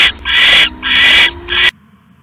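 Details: Owl at its nest on October 5, 2015, around 3:40 AM, amid a rat delivery and pellet casting. Three harsh, hissing rasps run in quick succession, then the sound cuts off into near silence.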